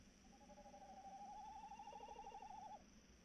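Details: Evening recording of a tawny owl, 3 March 2018 near 21:14, giving a drawn-out tremulous hoot lasting about two and a half seconds that wavers rapidly at a steady pitch, over faint steady low background hum.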